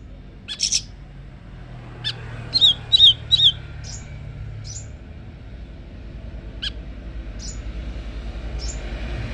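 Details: Leafbird singing back and forth with a scarlet minivet: sharp high chirps, then a quick run of three downslurred notes and scattered thin, high single notes over a low steady hum.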